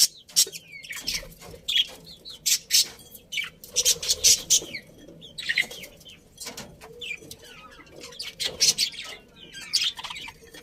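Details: Happy budgie colony heard in sparse, separate bursts of sharp squeaky chirps and brief warbled chatter, with quiet gaps between calls.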